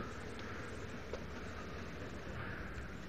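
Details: Continuous engine-like rumble and hiss, as from a vehicle on a sunrise drive, with no animal calls.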